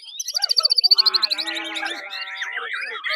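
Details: White-rumped shama singing in the 'tembakan' style: a rapid burst of about fifteen sharp, evenly spaced high notes, then tumbling into varied whistles, trills and slurred phrases.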